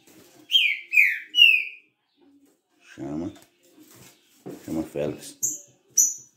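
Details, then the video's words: Three bright, downward-slurred whistles from a kept green-winged saltator ('trinca-ferro galador') open the recording. A man's voice then takes over, with a short high chip near the end. "TRINCA FERRO galador"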